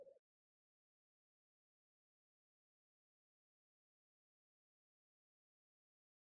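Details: Near-total silence after a very short low thump at the very beginning.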